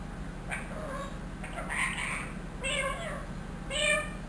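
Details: A trained one-year-old rose-ringed parakeet mimics a cat's meow and speech-like phrases: three nasal, wavering bursts, each under a second, spaced about a second apart, over a low background hum.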